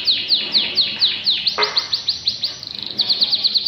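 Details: Canary in full, lively song, its phrases repeated over and over: rapid series of high, clear downward-sweeping notes about twice per second, broken by a brief fast trill, then more sweeping notes.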